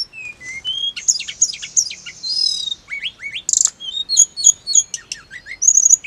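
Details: Hill blue flycatcher song played to make caged birds answer and get worked up: rapid high, varied phrases of sharp whistled notes, slurred rising and falling strokes and a brief buzzy trill, with short pauses throughout; no other sounds.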